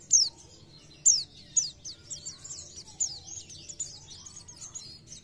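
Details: High, piercing downslurred notes from an Oriental white-eye lead into a soft, continuous jumble of thin twitters and squeaks, with low background hum.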